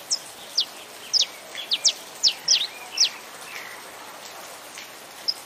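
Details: Saffron finch song with rain falling: a quick run of bright, high, downslurred chip notes, about eight in three seconds, then a pause and a lone note, all over constant rain hiss.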